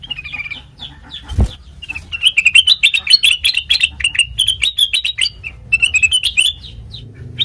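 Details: Sooty-headed bulbul, kept as a lure for training other birds: a fast, dense run of sweet chirping notes, with a low thump near the start, continuing steadily for several seconds over a faint low hum.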